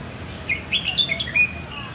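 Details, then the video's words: Plai loi style song of a Red-whiskered bulbul from Phetchaburi, a rapid run of sweet, liquid whistled notes jumping up and down in pitch over a steady low hum. "ไอ้จุก ร้องเพลงปลายลอย นกเพชรบุรี"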